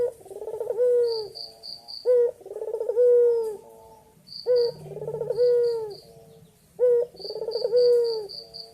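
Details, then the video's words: Low repeated cooing of a male white dove summoning a female: clipped opening note, burring roll and long sinking coo, phrases every two seconds, with a faint high-pitched bird tone and a low hum. "Puter Putih Gacor Jantan Memanggil Betina"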